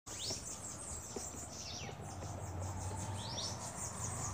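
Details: Bananaquits crowding a feeder give very high, thin chirps that sweep sharply up and down, a few each second, over a steady low background rumble.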